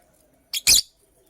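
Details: Purple lovebird, a female making a nest, gives two short, harsh, high chirps in quick succession, the second louder and longer, against an otherwise quiet background.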